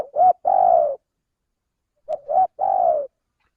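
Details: Spotted dove call used as a lure to attract birds: two phrases, each a short clipped coo followed by a longer, slightly falling coo, repeated about two seconds apart, low and mellow in a quiet setting.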